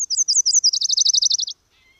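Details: Subalpine warbler (Sylvia cantillans) singing a high, slurred run of notes that speeds into a steady, rapid series of dry, chattering notes for about a second and a half, then stops.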